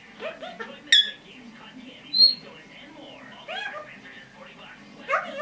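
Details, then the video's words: A pet red-bellied parrot, female and 10.5 months old, mixes soft squeaks and chatter with a few short, bright whistled notes, one high and pure, over a low steady hum. "Red-Bellied Parrot - Talking, Chatter, Noises, Whistling, Chicken"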